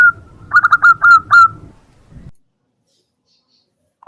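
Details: Zebra dove calling in the morning: a quick run of five or six bright, clipped cooing notes at an even mid pitch, packed closely over about a second, then low rumbling background and silence.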